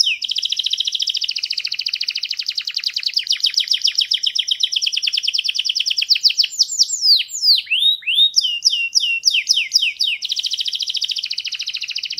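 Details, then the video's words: Canary singing: long rapid rolling trills, shifting between buzzy pulsed runs and a burst of quick descending swept whistles, then another fast trill, loud and continuous. "تغريد كناري راااقي"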